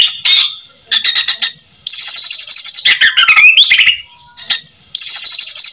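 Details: A captive white-rumped shama in full song, used as a lure to provoke other shamas into answering, sings loud, rapid buzzy rattles in short bursts, broken by a slurred whistle that dips and then rises.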